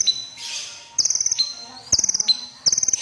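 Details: Red-breasted crimson sunbird singing energetically: three bursts of fast, piercing, very high trilled notes, each ending in a thin falling whistle, spaced roughly a second apart with quiet between.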